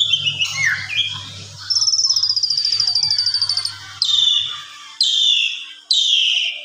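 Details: Evening lure song of an Asian pied starling, a style packed with filler, used for training other birds: mixed whistles, a fast buzzy trill lasting two seconds, then three loud harsh descending calls.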